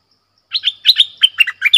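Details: A red-whiskered bulbul gives a clear lure-style 'double' song after a short silence: seven or eight rapid, liquid, chirpy notes that rise and fall in a bubbling run.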